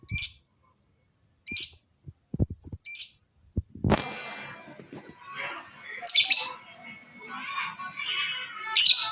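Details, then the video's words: Lovebird: a few sharp clicks and knocks open the recording, then a stretch of loud, harsh, noisy squawks and chattering bursts with scratchy high notes, growing louder toward the end. "Love Bird Gacor"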